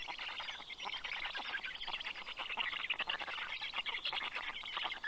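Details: A steady wheezy, crackling chorus of begging comes from Black stork chicks as the adult male brings fish to their nest in Karula National Park, southern Estonia, late morning on 11 June 2023.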